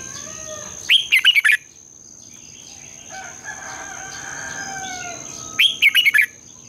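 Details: Red-whiskered bulbul singing a long twisted double-voiced morning song for training other bulbuls. Two rapid, rolling warbled bursts come about five seconds apart, with muffled whistles from other birds in between and a steady high whine.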